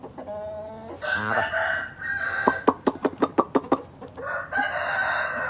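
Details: Mother hen calling her baby chicks from their shelter: a drawn-out harmonic call, then a burst of rapid, evenly spaced sharp clucks or peeps, ending in another long, bright call.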